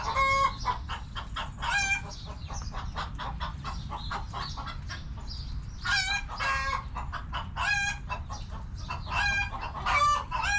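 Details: Backyard chickens clucking in their coop, loud harmonic squawks breaking out every couple of seconds above a constant stream of quick, soft clucks.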